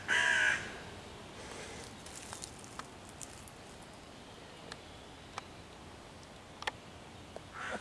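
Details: A hooded crow harassing five young raccoons waiting in a tree for their mother, 11 June 2023, caws to chase the predators away and summon other crows; one loud hoarse caw opens, then quiet rustling and a faint call at the end.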